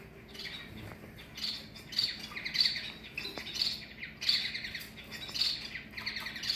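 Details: Captive long-tailed finches, also called shafttail finches, kept in a large flight aviary: bright, high chirps come in short bursts about every half second to one second, over a low steady indoor hum.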